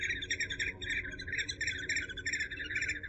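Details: Eurasian hobby uttering a quick succession of sharp, chirping notes at an even pace, roughly four to five per second, over a faint low hum.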